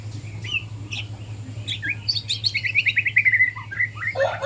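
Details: Young white-rumped shama learning to sing in the morning: scattered sharp chirps, then a fast run of short whistled notes around the middle, ending in lower warbled phrases, over a steady low hum.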